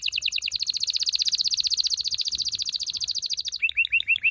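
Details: Loud canary song for stimulating mating in males and females: a long, fast, rolling trill of buzzy high notes lasting over three seconds, followed by a few looping upslurred chirps.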